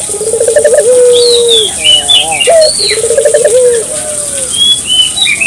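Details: Barbary dove cooing to stimulate local doves: two low coos, trilled at the start and then long and even, while small birds add high whistled chirps and slurs throughout.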